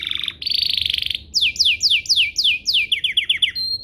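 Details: Canary song played to stir other canaries into singing: a short trill, a buzzy rolling phrase, then a series of loud downward-sliding whistles, speeding up into quicker falling notes.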